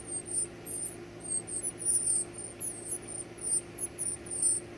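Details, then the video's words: Nestlings squeak while being fed: a near-continuous run of tiny, shrill, wavering peeps, pitched very high and quickly repeated, with a faint background hum. "feeding baby birds"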